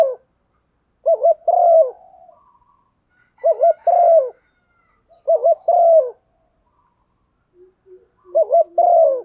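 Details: Female spotted dove cooing to excite a male: four phrases, each a quick quavering double note followed by a longer descending mellow coo, about two seconds apart.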